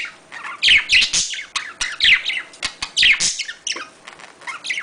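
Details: Budgerigar mating sound used to encourage breeding in pet birds: loud rasping warble phrases of rapid descending chirps, repeated roughly every second, mixed with clicks and short quiet spells.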